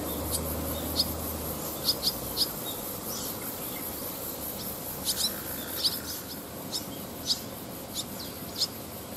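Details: Gathering of a barn swallow family on electric wires near rice paddies, young birds practising flight, 18 August 2020. Busy run of high, short chirps, several in quick clusters, with a brief low rumble at the start.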